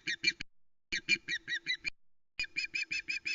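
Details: Nest cam at Loch Arkaig, 1 September 2020: a female osprey squawks as the male delivers a live flatfish, giving three bursts of shrill, piping notes in quick strings of four to six, separated by short silences.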